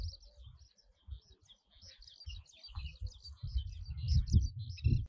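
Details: Oriental Pratincoles, summer visitors in Taiwan, give short, sharp, high chirping notes in quick irregular bursts, possibly from several birds, over a steady low wind rumble.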